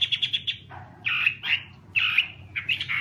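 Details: A Chinese hwamei (Garrulax canorus) sings loud, clear phrases: a quick run of five bright notes, then rich slurred whistles and warbles in repeated bursts.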